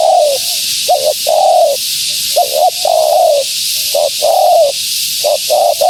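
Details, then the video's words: Repeated cooing from a female spotted dove intended to lure wild doves: twin short notes, then a sustained downward coo, cycling several times with small soft notes between. Steady hiss underneath. "Suara Burung Tekukur Betina Gacor‼️Tekukur Liar Pasti Tak Tahan Mendengar Suara Ini"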